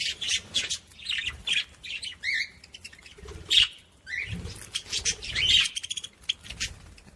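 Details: Budgerigar chatter used to stimulate other budgies: rapid bursts of harsh chirps, squawks and short whistles, uneven in rhythm, with a few brief pauses.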